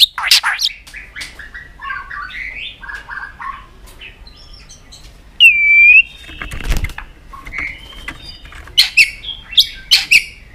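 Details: White-rumped shama, excited and tail-flicking on a perch. Scattered softer chattering and whistled notes, one loud clear slurred whistle midway, then sharp clicks and short high notes, with a brief low thump.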